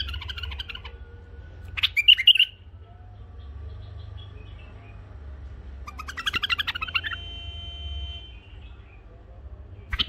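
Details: Three tame caged bulbuls, a male and two females, in sweet song: short bursts of bubbly, jumbled whistles and chirps, separated by quiet stretches over a low hum.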